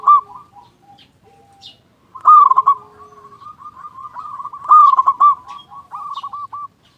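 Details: Local zebra dove lure song: a loud stuttering coo opens a long, soft rolling trill, followed by a second loud phrase and a trailing run of quick cooing notes, with other doves faintly behind.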